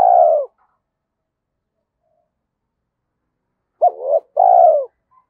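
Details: Spotted dove in the thổ Thúc Đấu voice, a style for decoy trapping in the forest: the tail of a falling coo, a long silence, then one phrase of a brief wavering hoot and a drawn-out descending coo.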